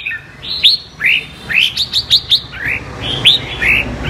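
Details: Double-voice (giọng kép) song from an apricot-coloured (mơ) red-whiskered bulbul: clear upslurred whistles, a quick burst of three or four bright notes mid-phrase, then softer rising notes.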